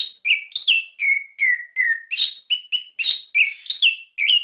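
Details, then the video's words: Lure recording of orange-headed thrush song for caged birds: a steady stream of clear whistled notes, some falling, some rising, paced roughly two to three per second, with occasional harsher chips. "Pancingan Suara Burung Anis Kembang Gacor Ngeplong Ngerol"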